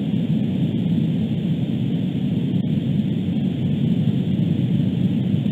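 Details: A loud, steady, engine-like roar with heavy low rumble and hiss continues unbroken, and no animal sound comes through.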